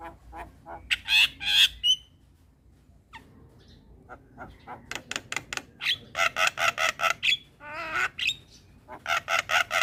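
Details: Javan pied starling singing in the morning, used as tutor song for young starlings: bursts of harsh, buzzy broadband notes mixed with whistled upslurs, a pause, then a rapid run of repeated grating chatters.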